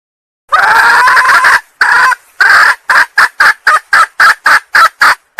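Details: Female junglefowl, Sumatra, calling to attract males: a drawn-out harsh cackle of over a second opens, then a quickening string of short clipped clucks, roughly two per second.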